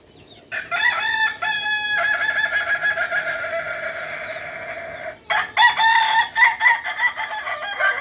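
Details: Native Solok, West Sumatra kukuak balenggek chicken giving a long sustained crow with a rising start and drawn-out steady middle, then after a short gap a burst of quick choppy stepped notes, repeated bouncing syllables.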